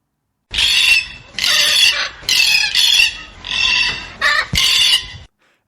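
A cockatoo gives six harsh, raspy screeches in quick succession over about five seconds, loud and grating, with nothing else heard.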